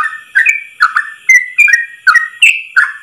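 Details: Yellow-vented bulbul in ropel style, a tutor song in one long breath: chortling two-part whistles, low then higher, repeated quickly, with clicking ticks and a high background hiss.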